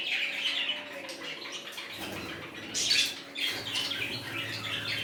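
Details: Quieter budgerigar sounds from a new colony: a few harsh squawks and scratchy high calls separated by short gaps, with rustling and low hum in the background.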